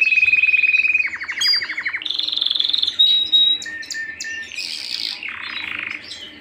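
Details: Canary singing at home: a varied, loud song of distinct tours, including a sustained high whistled roll, a rapid lower trill of repeated notes, buzzy higher phrases and bursts of quick chirps that shift pitch every second or so.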